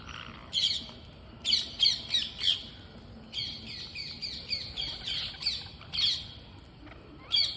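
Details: Several green parrots feeding; harsh, scratchy squawks come in short bursts, often paired or in quick runs of three or four, with brief quiet gaps between volleys.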